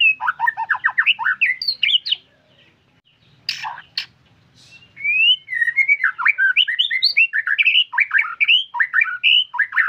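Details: White-rumped shama singing vigorously: rapid runs of clear whistled and warbled notes, two loud harsh rasping bursts after a short pause, then a fresh stream of varied rising whistles and chattering phrases, with no other sounds.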